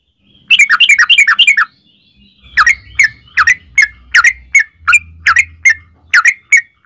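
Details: Yellow-vented bulbul giving 'ropel' song meant as a lure to prompt other bulbuls to sing: a quick chattering burst, then a slower series of sharp, upslurred chirps with a low hum underneath.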